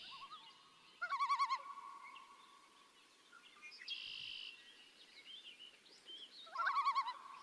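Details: Two bursts of a Common Loon's tremolo distress call in New Hampshire, a rapid quavering laugh-like wavering, about half a second each and several seconds apart, given as a bald eagle flew nearby, likely protecting chicks or eggs; faint chirps from other birds between.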